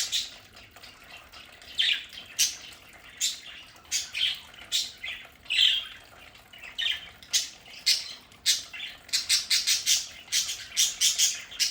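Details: Several pet budgerigars in a home play area give sharp, harsh squawks in separate bursts, then a quick run of clipped calls near the end.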